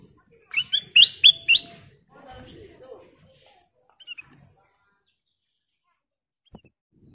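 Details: Ruby-throated bulbul (kutilang emas) singing as a lure for other birds: four loud, quick whistled notes in a rapid run, followed by soft murmuring and a few faint high chirps.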